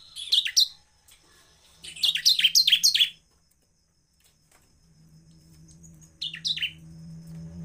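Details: Bar-winged prinia in a lively semi-cristal style, used to provoke other prinias into singing. Bright chirps slide downward and come in quick runs of three to five, separated by short silent gaps, with a low steady hum in the background.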